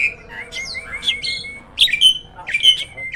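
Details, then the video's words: A hybrid jalak starling, a training master for other birds, gives spaced, clear, ringing whistles mixed with short buzzy chirps, in loose phrases about every half second. "JALAK HYBIRD GACOOR!! MASTERNYA PARA JUARA."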